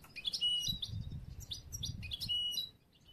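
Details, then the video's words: Young European goldfinch of the bruno amarillo mutation, bred late this year and still in training for song contests, kept caged; immature song of quick high twittering phrases and tinkling notes in bursts, with low background rumble. "un poquito del jilguero nuevo bruno amarillo, aún por hacer."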